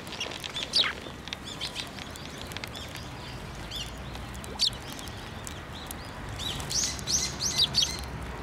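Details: Sparrows drawing near for food, Tenmangu shrine, 15 December 2023: scattered faint twitters, then a quick run of four or five high chirps toward the end, against constant low outdoor noise.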